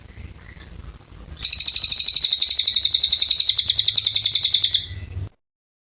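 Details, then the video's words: Oriental white-eye with long, vigorous song for training magpie-robins: after a faint low background, an intense high chattering trill of fast pulses runs about three and a half seconds, then stops abruptly. "Cililin gacor panjang"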